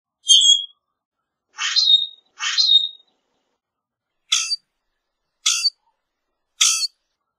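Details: Common grackle with a high squeak, then two rasping, creaky song bursts in quick succession, followed by three short, sharp, broadband chack notes spaced about a second apart.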